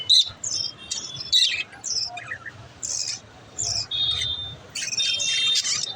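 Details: Little budgerigars chirping: short bursts of bright, high chirps and squeaky warbles come in clusters separated by brief pauses, with a few thin sustained whistled notes between them.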